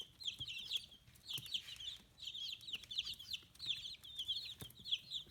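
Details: Chicks aged fifteen days, feathering out, kept free-range in Hiroshima, Japan; bursts of high, shrill peeping in clusters of rapid notes separated by short pauses, with occasional light taps.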